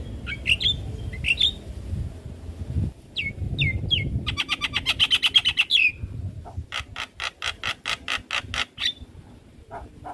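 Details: Javan myna song for training young mynas: high whistles, a long rattling buzzy series, then evenly spaced harsh notes repeated about twice a second, with low background rumble.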